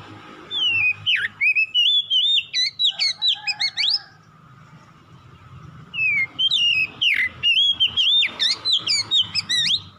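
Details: Kacer, the oriental magpie-robin, singing rapid varied phrases of whistled slurs and sharp upsweeps, falling silent for about two seconds, then resuming a dense run; a lure to make a lazy bird sing.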